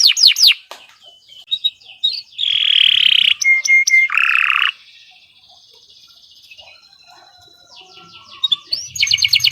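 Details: Kenari Nusantara canary with gacor song in bursts: swept high notes, a broad buzzy roll, a brief pure whistle and another buzzy phrase, then a quiet gap before a renewed fast trill.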